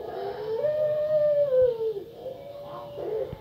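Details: Female puter pelung dove, a lure bird meant to set other doves calling. One sustained, even-pitched coo that falls away after about a second and a half, then short, lower, broken notes close behind.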